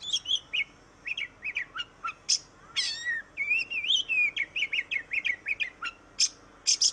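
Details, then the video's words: Oriental magpie-robin singing, used as a lure to prompt reluctant birds to sing: varied whistled phrases around mid-high pitch, interspersed with sharp buzzy notes and upward slurs, delivered in quick bursts with short pauses. "Suara burung kacer Kacer ngoceh Kacer gacor"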